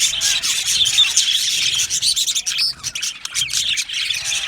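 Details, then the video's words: A budgie aviary colony, described as happy, fills the air with rapid, overlapping chirps and raspy warbling, briefly thinning out partway through before the chorus builds again. "Happy Budgies Sounds | Budgies Chirping Sounds"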